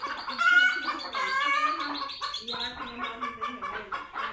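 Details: Scared chickens reacting to cats seen for the first time, giving a run of hoarse, harsh screeching calls, overlapping and uneven, with slightly quieter rasping notes toward the end.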